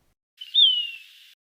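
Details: A Say's Phoebe in an Arizona backyard in spring, perched low on fence posts or roof edges, gives a single plaintive, hoarse call, a brief high note sliding downward in a drawn-out "pee-urr"; nothing else is heard.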